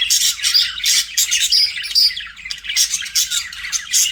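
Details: Domestic budgies call in a lively mix: grating squawks, clipped chirps and a few pure whistled notes, with the chatter dipping briefly near the middle before resuming.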